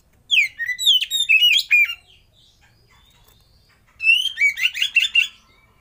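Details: Oriental magpie-robin tutor and lure song: two energetic bursts of rapid whistled and chattering notes, each lasting about one and a half seconds, split by a quiet gap of almost two seconds.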